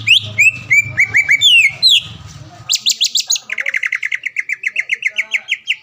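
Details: Contest-winning caged greater green leafbird from Palembang mixes sweeping whistles and chips, then shifts into a long fast series of short identical notes repeated more than three per second.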